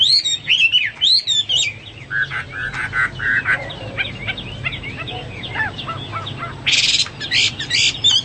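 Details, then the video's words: Energetic Hwamei song: looping whistles at the start, then lower rough notes, scattered slurred whistles, and several loud buzzy, harsh bursts near the end. "Burung Hoa Mi gacor"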